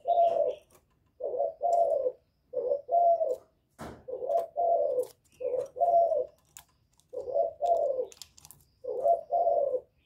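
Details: Spotted dove in full 'giọng thổ' provoking call aimed at rival males; steady series of deep rounded coos grouped in short-long pairs, repeated about every two seconds, with one sharp knock near the middle.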